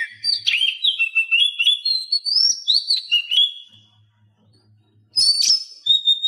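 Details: Oriental magpie-robin song as a training track to prompt silent magpie-robins: a fast run of bright, varied whistles and chirps, wavering and sliding high, then a short pause and a sharp burst.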